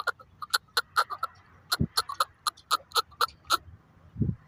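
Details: Chukar partridge giving short, sharp clucking notes in an uneven run, some doubled, with a couple of dull low thumps between them.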